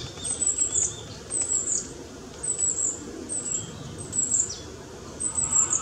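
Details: Recently fledged long-tailed tit, just out of the nest, foraging nonstop among high and low trees: very high, thin, brief call notes in small clusters roughly every second, over steady low background hum.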